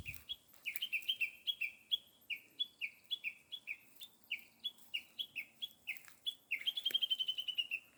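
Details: Small bird giving a long run of short, bright chirps, each a quick upward flick, repeated about every third of a second. It ends in a fast, slightly descending trill of rapid notes. The background is quiet.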